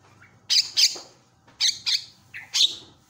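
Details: Javan myna giving loud calls meant to provoke other mynas into calling: harsh, broadband squawking notes in pairs, three pairs over three seconds, with a short fainter whistle between.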